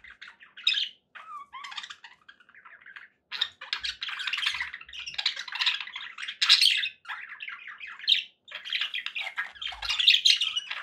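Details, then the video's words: Budgerigars chirping happily as pets: rapid warbling chatter with squeaky rising notes, starting in short phrases and building into continuous busy twittering. "happy budgie sounds"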